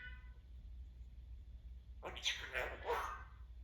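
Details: A Timneh African grey parrot, a pet described as chatty today, gives a short burst of harsh, squawky chattering after about two seconds of quiet room hum.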